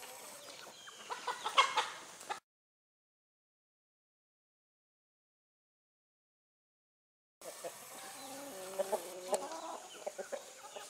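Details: Several chickens give dense, irregular clucks and sharp squawks in two bursts separated by about five seconds of silence.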